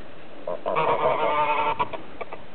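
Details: Domestic geese, on a croft with sheep, clamour for their breakfast feed at about 8:30 am on 20 March 2008, the first day of spring, honking loudly in a burst of overlapping, nasal, harmonic-rich calls lasting about a second, then a few shorter honks.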